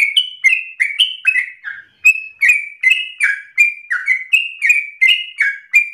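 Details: A yellow-vented bulbul sings vigorously in a lively, unbroken run of bubbly, slurred whistles, about three notes a second, some rising and some dropping, with no other sounds; used as a lure and tutor recording.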